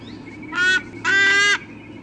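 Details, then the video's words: Eagle at a nest in Sydney Olympic Park, Australia, August 2014, calling as the pair prepares to change over, nest camera: two harsh, drawn-out squawks, the second longer, in quiet surroundings. "Mom and Dad have a squawkathon before changing over"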